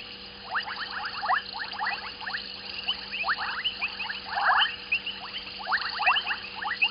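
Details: White-faced whistling ducks at Gowrie dam waterhole, Djuma Game Reserve, Sabi Sand Wildtuin, South Africa, evening; many clear whistled notes in quick overlapping bursts, several birds calling together, a steady faint hum beneath.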